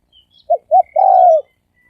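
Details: Spotted dove cooing in the thổ sấm đồng style, played to excite males, females and wild birds: two short hollow notes, then one long, slightly falling croo.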